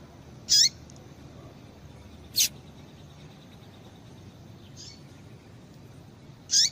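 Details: Female rusty-collared seedeater's call, meant to warm up males into singing: three isolated, sharp high chips with a dropping tail, spaced about two seconds apart over faint background hiss.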